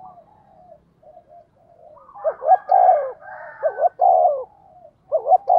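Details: Spotted dove kept as a decoy, pushed into fast cooing to make wild birds answer. Soft low coos build into loud phrases of clipped double notes ending in a long sliding coo, with fainter overlapping coos behind.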